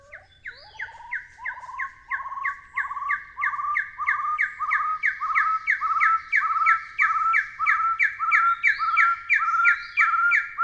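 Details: Long, steady series of Taiwan hill partridge calls, paired whistled notes repeated well over twenty times in about ten seconds, growing louder toward the end over a faint low hum.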